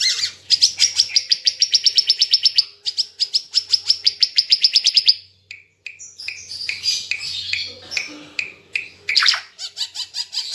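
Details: Ara Timor bird singing energetically, recorded as a tutor for caged birds: a long, regular series of sharp high ticking notes, a brief pause, then short rising whistles and buzzy chatter.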